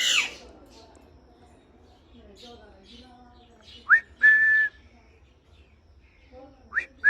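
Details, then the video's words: Domestic parrot whistling: after a squawk and quiet low murmuring, a rising whistle runs into a held level tone, with a second rising whistle near the end. "Parrot whistling full enjoyment"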